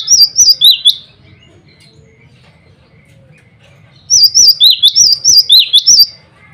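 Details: Male cinereous tit singing to challenge rivals and call a female: two bursts of rapid, high whistled two-note phrases, about four phrases and then seven, each with a dipping, bouncy lilt, separated by four seconds of quiet.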